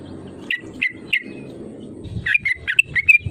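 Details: Yellow-vented bulbul in energetic calling form, used as a lure to press rivals into calling back: three short bright chirps about a third of a second apart, then a quicker burst of sliding notes, over low background rumble.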